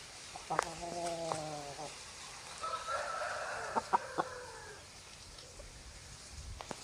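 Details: Chicken farm with roosters and hens: one rooster gives a flat, evenly held harmonic crow, then a second higher, stepped crow follows, with sharp clucks and clicks scattered around them.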